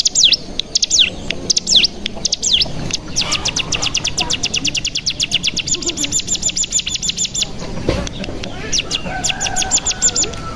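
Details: Mountain tailorbird (cigun) lure song: a few swooping whistles give way to a long, rapid, even series of sharp high notes, the bren, then more scattered whistles, with noisy background and a thump near the end.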